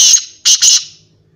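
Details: Black francolin, known locally as kala teetar, giving loud harsh grating notes: a long rasping burst, a pause, then two quick harsh phrases close together, strongly overloaded, with faint low hum between.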